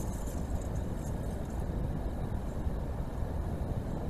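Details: Dense low rumble of road traffic and engines in a city, with no animal calls audible.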